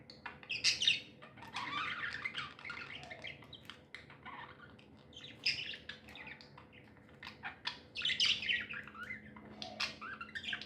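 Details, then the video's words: Several happy pet budgerigars chirp and chatter in irregular bursts of high notes, some scratchy, with quieter gaps and a steady low hum. "Happy budgies chirping sounds"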